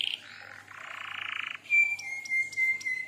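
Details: Canary lure song for mastering: a dense buzzy roll shifts lower, then breaks into a clear, steady high whistle broken by short sharp clicks.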